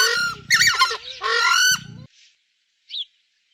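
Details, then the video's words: Screamer gives two loud, harsh, honking calls with a rising-falling nasal tone, followed by a faint trailing note and a short high squeak. "Screamer bird"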